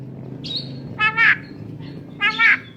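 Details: A tame talking Javan myna repeats a paired pattern twice: a squeaky whistle followed by two loud harsh rasping bursts, the pairs roughly a second and a half apart, over a low hum.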